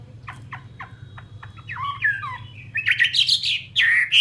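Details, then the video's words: Chinese hwamei of the fighting type (họa mi chiến): soft ticking clicks first, then a few quiet warbles building into loud, bright whistled bursts in the final second and a half, over a low background hum. "Họa mi chiến"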